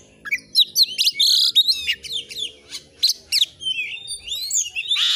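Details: Oriental magpie-robin (kacer) in full, vigorous song, a clear training recording: varied sharp whistles, buzzy rasping notes and quick slurred chirps in short bursts, with a faint low hum beneath.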